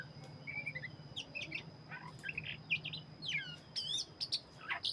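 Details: Oriental magpie-robin of the black-chested form, singing vigorously: scattered whistled and chattering notes, some sliding and some trilled, over a low steady hum and a constant high tone.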